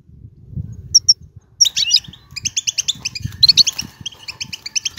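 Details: European goldfinch bitbita-style song, used to stir silent goldfinches into singing. After a quiet start with a few thin high whistles, rapid twittering chirps begin near 1.6 seconds and run as a steady, bright, evenly pulsed series.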